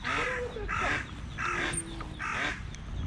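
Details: An Eastern spot-billed duck, a parent moving its small ducklings in the early morning before a cat attacked two chicks, gives four loud, harsh quacks about one every three-quarters of a second over a low outdoor rumble.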